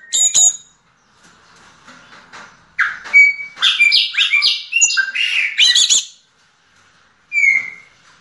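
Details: Yellow-legged thrush in diamante negro song: a short sharp note, a quiet gap, then a rush of high, varied chirps and slurred whistles lasting about three seconds, ending with a lone clear whistle.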